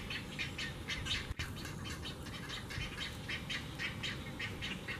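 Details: Great egret fledglings at Magnolia's Audubon Swamp Garden, Charleston SC, 13 May 2018, give harsh, scratchy begging calls about two a second as their mother feeds them, over a steady low rumble of wind.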